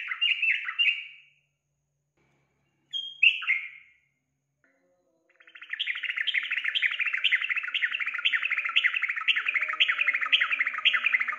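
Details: Yellow-vented bulbul song, played to prompt a kept bird to sing: two short bubbly, warbling phrases, a pause, then a long run of fast, repeated chattering notes rising and falling in quick succession.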